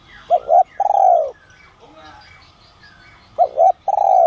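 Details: Spotted dove with the "son" voice style, calling to lure other doves: a low two-part phrase, a short doubled hoot followed by a longer falling coo, given twice about three seconds apart over faint outdoor background.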